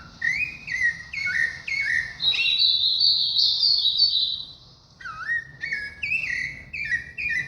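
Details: Thrush (sabiá) song of rapid whistled notes, short falling phrases repeated about twice a second, broken by a long thin higher whistle before the phrases resume.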